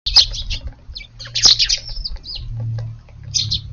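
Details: Sparrows chirping at an evening garden feeding on a warm day, short bright chirps in bursts with pauses between, before the birds return to roost; a low steady hum underneath.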